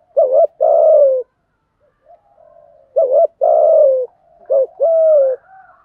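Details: Spotted dove pair, male and female, in a steady 'thúc gù' cooing routine meant to get newly caught birds calling. Three deep two-part phrases, a short wavering note and then a drawn-out coo. Soft low murmurs fill the gaps.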